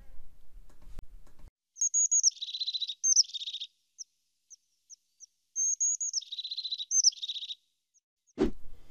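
Crested Tit calling twice: thin, very high notes running into a buzzy, purring rolled trill, with a few sharp high ticks between. A brief bit of speech is heard first.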